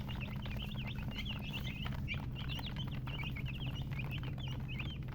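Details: Young chickens peep in bursts of high, sharp chirps, several birds overlapping, with brief gaps between groups, over a low rumbling hum.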